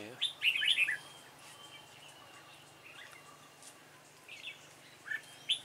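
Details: Red-whiskered bulbul with a dark bib, during trapping with a decoy bird on 28 February 2017. A rapid burst of rich warbled notes is followed by near quiet, then short chirps near the end.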